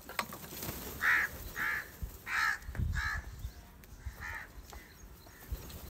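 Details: Angry crows gathering and fighting over rice food: five harsh, hoarse caws in quick irregular succession, then a lull, over low rumbling background noise and scattered clicks.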